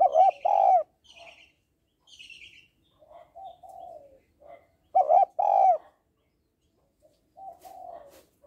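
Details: Female spotted dove calling to stimulate males: two loud, low, rounded coos near the start, softer cooing phrases between, then another pair of loud coos at five seconds. A faint higher chirping bird is heard too.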